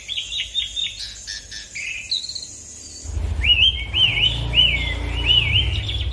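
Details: Asian pied starling in full song, used to train other birds, singing a long run of clear, looping whistled phrases, rising and falling in quick succession, with a low rumbling hum underneath in the second half.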